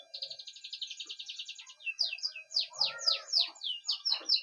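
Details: Male canary singing while the female incubates four eggs; a rapid pulsing trill gives way to a rollicking series of loud downslurred whistles and chirps, with lower warbled notes underneath.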